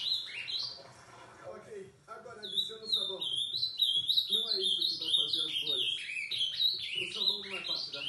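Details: Ultramarine grosbeak singing at night: a short opening phrase, a pause, then from about two seconds a long, lively stream of fast slurred whistles that rise and drop, over soft background talking.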